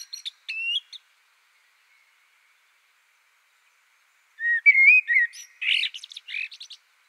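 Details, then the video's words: Common blackbird (Turdus merula) singing: a few faint high notes, a pause, then a clear fluted whistled phrase that breaks into a squeaky, high twittering flourish at the end. "O Canto do MELRO PRETO (Turdus Merula) Bird Song - Blackbird, Mérula"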